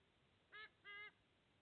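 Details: Sea eagle at a nest in Australia, where the father brings food for two eaglets; two short, nasal, honking notes, each with stacked harmonics, the second longer, over a quiet background.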